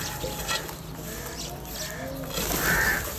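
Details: Crows calling for food as they feed and squabble: a single hoarse caw near the end over a busy, noisy background with splashing or watery sounds.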